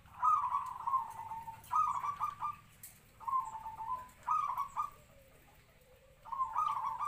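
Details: Local zebra dove kept as a trapping decoy, captive-bred, three to four years old, medium-voiced, singing its kwor kwor. Four separate trilled cooing phrases come about every one and a half seconds, each a quick stutter ending in a drawn-out coo.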